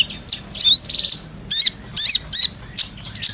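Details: Brown-throated sunbird song recorded to train other birds: separate high, ringing chirps and short upward-swept whistles, about two notes each second, with clear gaps between them.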